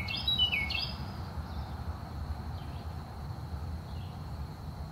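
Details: Carolina wren singing in the early morning: a short burst of two quick, loud, ringing whistled phrases dropping in pitch opens the recording, followed by quiet with only faint distant chirps over a steady low background rumble.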